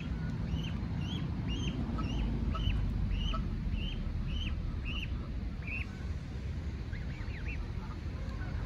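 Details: A lost Canada goose gosling, attacked by an adult Canada goose, gives about nine high, arched peeps in quick succession, roughly two a second, over heavy low rumble of wind or handling.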